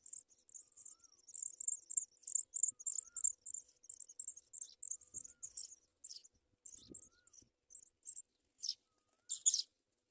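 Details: Nest scene as a Sprague's pipit brings food to its young: a long, busy chatter of very high, thin twittering notes for about six seconds, then scattered chirps and two louder, hissy bursts near the end.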